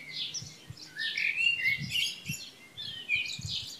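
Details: Birds singing on Krk island at Šilo, Croatia, morning of 3 June 2015, giving dense high chirps and short sweeping whistles over soft low background knocks.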